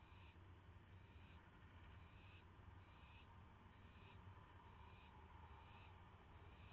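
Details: Live-camera owl getting a mouse at night, May 9, 2016: repeated scratchy hiss-screeches, roughly seven bursts at a quick steady pace, backed by a low droning hum.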